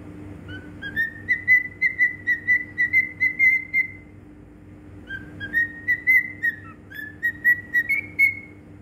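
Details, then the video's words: Cockatiel whistling song in Bahrain: two long phrases of rapid pulsed whistles, about two beats per second, holding a level pitch before a final rise. A brief silence separates them, and a faint hum persists. "Cocktail Bird Whistle /Singing"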